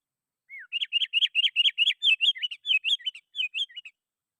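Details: Sooty-headed bulbul singing vigorously to call rivals, used to lure wild bulbuls: one falling whistle, then a rapid string of about twenty looping, warbled notes that slowly become more spaced out.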